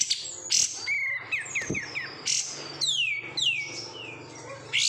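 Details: Caged oriental white-eye from bulk market stock sings a jumble of short whistles, quick downslurs and high twittering, including long sweeping descending notes near the end.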